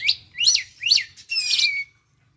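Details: Oriental magpie-robin fresh out of spotted juvenile plumage, learning konslet-style song: three bright rising-falling whistled notes, a short click, then a rich buzzy trill trailing off into silence over a faint low hum.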